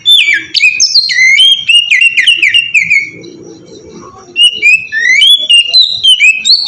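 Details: Oriental magpie-robin (kacer) singing in the ngeplong style, used as a lure to get young kacer singing: loud, clear whistled phrases sliding down, then a softer pause and renewed rapid rising and falling whistles.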